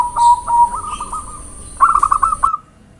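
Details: Zebra dove (perkutut) calling lively as a lure: a few soft spaced notes running into a trill, then a loud burst of rapid staccato coos, with a high electronic whine behind.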